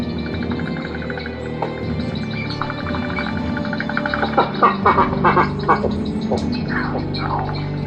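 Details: Boat-billed Heron, of Central and South American wetlands, giving its deep-voiced, duck-like call: a quick run of low, nasal quacks bunched in the second half, over steady background music.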